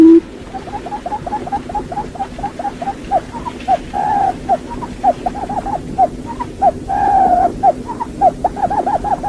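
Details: Quail used as a hunting lure, giving a long run of short, low, curved hooting notes, about three or four each second, broken by a couple of longer drawn-out notes, over a faint background hum.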